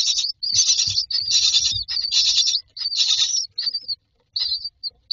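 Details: Nestling mynas calling for food inside a nest box, giving long, grating, hissy bursts in a near-continuous chorus that breaks into shorter calls toward the end, with soft low knocks beneath.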